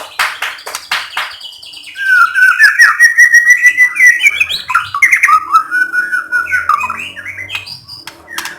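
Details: White-rumped shama singing to provoke other shamas into song: sharp clicks open, then a loud, varied run of whistled notes rising and falling, with quick trills and a low hum in the background.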